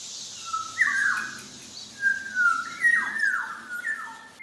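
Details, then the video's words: Black-naped oriole from Java singing actively: a series of mellow, fluty whistles, each swelling and slurring downward, delivered in loose succession over a faint background hiss. "Suara burung kepodang jawa sedang gacor"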